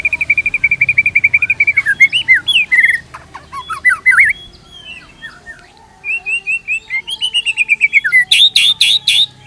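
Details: Trigger song of a white-rumped shama for training caged birds: rapid repeated whistled notes, then varied rising and falling phrases, a brief pause, and another quick rattling series ending in harsh buzzy notes.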